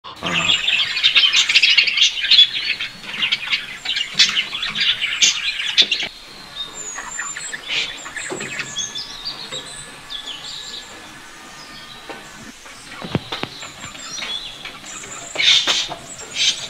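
Budgerigars chatter with dense, high-pitched chirps and warbles, busiest in the opening seconds.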